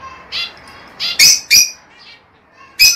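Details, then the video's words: Lovebird, with a sound used to encourage mating and breeding, giving a few loud harsh squawks and shorter chirps separated by brief pauses, in a quiet indoor setting. "El canto más poderoso para estimular y estimular a las aves agapornis a aparearse y producir"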